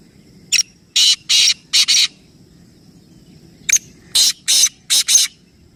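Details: Black francolin calling: two matching bursts of loud, harsh, grating notes, each a short click-like note followed by two drawn-out rasping notes and a final pair, separated by a pause of about one and a half seconds.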